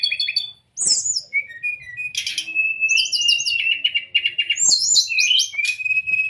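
Brown-chested jungle flycatcher song: a lively run of high, clear whistles, slurred notes and quick trilled phrases, with a few sharp chips in between. No other sounds.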